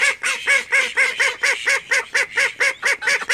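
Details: Call ducks kept at home, one of a flock of thirteen, giving loud, harsh quacks repeated steadily about twice a second in a rhythmic series.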